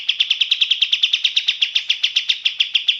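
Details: ['Sooty-headed bulbul, a short stretch of evenly spaced sharp high chirps, about six a second, forming a rattling trill with no background noise.']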